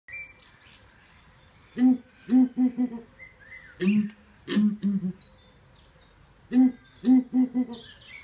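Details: Male southern ground hornbill at Birdland, Bourton-on-the-Water, Gloucestershire, giving his booming love song to woo his mate: deep, hollow booms in groups of three or four, repeated in sets. Faint background noise and other birds.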